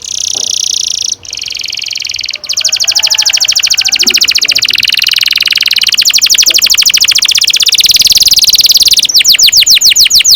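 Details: Canary singing a long roll, played to spur young birds into song: a dense, fast high trill that runs almost without a break, pausing briefly twice early on and shifting to broader sweeping notes near the end.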